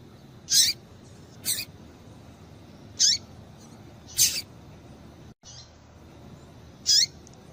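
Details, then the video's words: Female double-collared seedeater calling to stir up males: five brief, high, downward-slurred chirps spaced irregularly about one to one and a half seconds apart, with faint hiss between them. "Piado de Fêmea de Coleiro Para Esquentar Coleiro"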